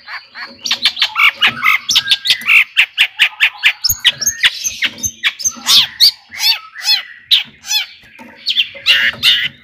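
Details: Excited long-tailed shrike song used as a lure for other shrikes: a long, fast jumble of scratchy chips, trills and squawky notes, varied and almost unbroken for nearly ten seconds.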